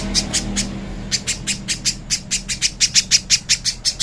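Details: Little spiderhunter master song for training, clear: a few spaced harsh chips, then an accelerating, steady run of loud, high scratchy notes, about four per second.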